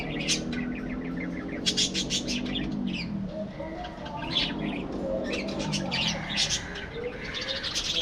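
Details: Chatter from an aviary colony of budgerigars, with dense runs of short high chirps and squeaky warbles that come in busy bursts, over a constant low rumble in the background.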